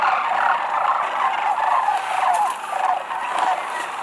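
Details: Sandhill cranes, thousands of them, dropping into Whitewater Draw Wildlife Area near McNeal, Arizona, in February 2018; many overlapping rattling bugles that swell and fade roughly every half second.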